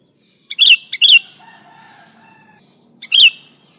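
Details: Sooty-headed bulbul sounds used for luring other bulbuls, original recording without fill-ins: quick pairs of sharp, bright chirps, then a pause with faint lower tonal notes before another emphatic chirp.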